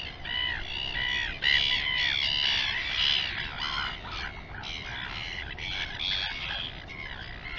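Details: Royal albatrosses at the Taiaroa Head colony near Dunedin, New Zealand, filmed by a live nest camera: overlapping nasal, harmonic calls in quick runs, about two per second, several birds together over steady wind-like hiss.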